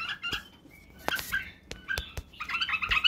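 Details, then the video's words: Badrawi (white-eared) bulbul used to train chicks in song, barwaz and wing clicking: sharp broadband clicks scattered among short whistled notes, ending in a denser burst of chattering song. "لتخريج وتعليم افراخ البلابل على التغريد و البرواز وطك الجناح بلبل بدراوي"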